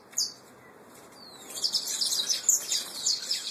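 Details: Canary of the Peruano puro type, nestlings: a faint chirp, then from halfway a dense run of high twittering and chirped notes that grows louder toward the end.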